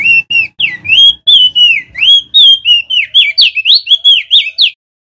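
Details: A male crested white-eye of Lombok sings loud and continuous to draw in other white-eyes and get them singing: steady whistled notes that become quicker, sliding up and down, before it stops short.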